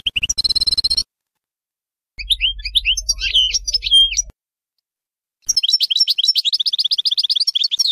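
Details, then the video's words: Tutoring song of a European goldfinch, baynam ghazarat style, meant for young birds to learn: bursts of liquid twittering and buzzy trills separated by pauses, ending in a rapid, evenly repeated chattering series of high notes. "غناء حسون باينام غازرات لتعليم الفراخ"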